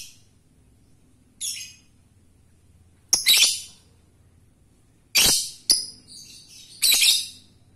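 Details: Male lovebird calling the female; scattered harsh, shrill squawking bursts, some doubled, separated by quiet gaps of one to two seconds.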